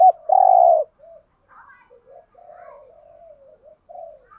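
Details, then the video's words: Spotted dove cooing meant to lure wild doves into answering, with male and female birds: one loud, drawn-out hollow coo, then softer, broken, wavering coo fragments trailing off. "chim cu gáy kích bổi thúc gù"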